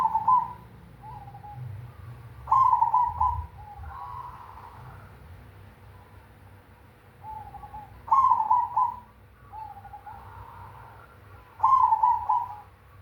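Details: Zebra dove of the cemani type giving a big 'kung' style song: rapid, trilled cooing phrases that end in a held coo. Loud bursts come about every three to five seconds, with softer coos between them, over a low background hum.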